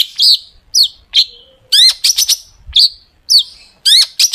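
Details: Long-tailed shrike delivering sharp 'tembakan' shot phrases, used as a lure to make shrikes sing; loud, bright upward-slurred whistles alternating with tight clusters of scratchy notes, separated by brief gaps.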